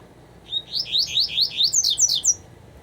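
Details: Double-collared seedeater song: a quick run of about ten sharp slurred notes, each sweeping across high pitches, climbing higher and thinner toward the end, with a faint background hiss.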